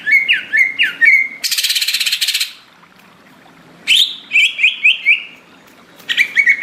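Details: Greater green leafbird, tropical forest, singing hard: looping downslurred whistles, a long rasping rattle, silence, then a burst of quick descending whistled notes and more whistles at the end over a low background hum.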